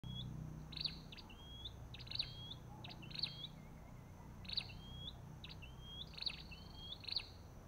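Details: Olive-backed tailorbird: repeated calls, each a brief burst of sharp high chips followed by a slurred whistle that rises then flattens, roughly every second, over a steady low rumble.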